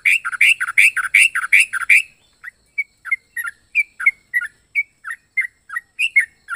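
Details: Yellow-vented bulbul with a unique, strange, varied voice: a fast burst of loud, harsh, broadband chattering notes, then spaced, short, clear whistled chirps near mid-high pitch, about three per second.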